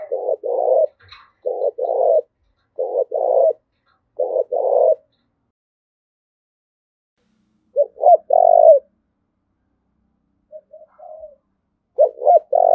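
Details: Spotted dove calling in the 'thúc gù' style meant to train decoys and excite males: clusters of short low coos in quick succession, then a pause and sparser, longer coos, with quiet between.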